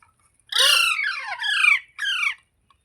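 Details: Green parrot making natural talking sounds: a loud, drawn-out, harmonic squawk that sweeps downward, run straight into a second bent note, then a short pause and one more falling squawk.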